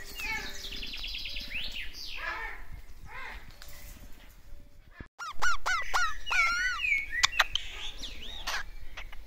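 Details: Crimson rosella at a Danish bird zoo on 11 July 2021, interacting with a person: clear whistled notes rising and falling near the middle of the range in the second half, after a noisy stretch of harsher honking calls and other birds.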